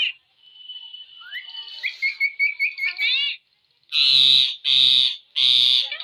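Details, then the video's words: Pet parrot in a happy mood, indoors with its keeper: a thin sustained whistle breaks into quick warbling chirps, followed by three loud, harsh, buzzy squawks about a second apart. "My Parrot Speaking and Calling In A Happy Mood"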